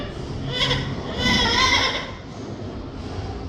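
A parrot gives two nasal, bleat-like, speech-toned calls: a short one, then a longer wavering one, over faint room hum.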